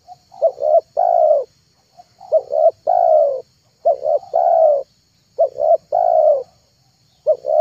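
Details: Spotted dove lure recording: soft low coo phrases, a pair of brief clipped notes leading into one longer rounded coo, repeated five times at intervals of about one and a half seconds on a quiet background.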